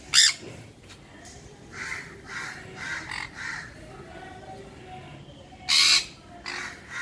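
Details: A semi-adult pair of sun conures give loud, harsh screeches, with softer raspy chatter between the outbursts.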